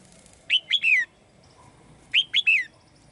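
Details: Female bird in a cage sings to call a male, giving two quick three-note phrases of bright, high whistles that bend downward, about a second and a half apart, with faint low room noise.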